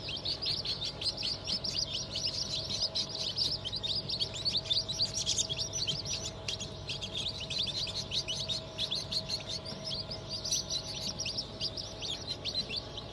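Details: A brood of newly hatched chicks, Black Australorp, Sussex and pheasant, hatched 25 May 2023; a steady crowd of sharp high cheeps repeats several times a second without pause, over a thin constant machine hum.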